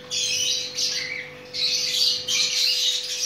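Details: Chattering lories (Lorius garrulus) mating; one gives four loud, harsh, rasping screeches in quick succession, each about half a second to a second long, over a faint steady electrical hum.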